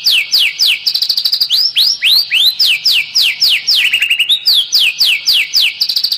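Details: Kretekan-style song of a white-rumped shama, full shots aimed at provoking other birds, dated 24 January 2023: a continuous torrent of sharp slurred whistles, several per second, broken by short buzzy rattles and a lower warble.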